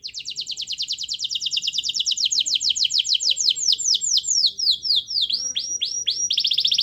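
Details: Canary singing steadily as a lure to coax a silent bird into song: a long fast trill of sharp high notes that slows into drawn-out swept phrases, then quickens into a buzzy roll.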